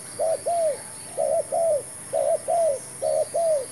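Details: Spotted dove calling as a trapping decoy, a new bird on trial with a new trap; paired coos, short then drawn-out and descending, four pairs evenly spaced over a faint continuous whine.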